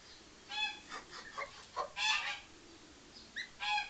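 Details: Brecon Buff geese, a rare breed from England: three goslings two days old with their mother. Short harmonic honking and peeping calls come in irregular bursts, some run together and others stand alone, against a quiet background.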